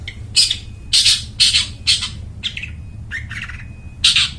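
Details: Long-tailed shrike singing, used to lure wild forest birds: loud rasping squawks in a jerky series, a brief lower chattering passage midway, steady low hum behind.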